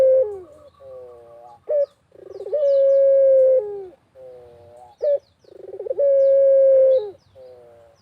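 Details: Countryside barbary dove giving repeated coos meant to draw other doves into calling: soft banded hoots, a short sharp note, a vibrating roll and a long even coo, about every three seconds; thin bird twitters above.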